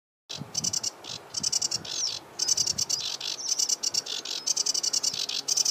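A Sedge Warbler sings a fast, scratchy chatter of rapid high bursts and buzzy phrases, broken by short whistled notes, without pause.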